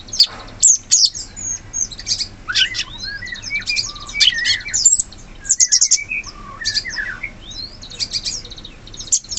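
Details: Wild sooty-headed bulbul, known locally as cucak cungkok, singing in forest: slurred whistled notes between low and mid pitch mixed with dense high twittering chirps, phrases coming in quick bursts with short pauses.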